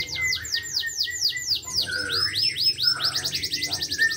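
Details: Local canary in full energetic song, pouring out rapid series of high descending swept notes that run into fast rolling trills, with brief lower whistles between phrases.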